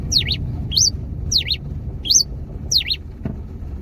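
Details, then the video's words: Pileated finch coming out of moult, giving its pure, evenly paced song type 21 inside a car: five sharp, high whistled phrases, each a quick falling-then-rising slur, spaced about 0.6 seconds apart over a low engine rumble. "TICO TICO REI CINZA CANTO 21 PURO COMPASSADO NO CARRO"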